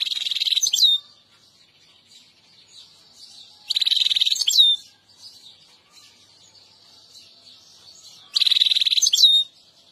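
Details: European goldfinch song: three short bursts of rapid, tinkling high twitters about every four seconds, each ending in a sharp upward note, with quiet gaps between.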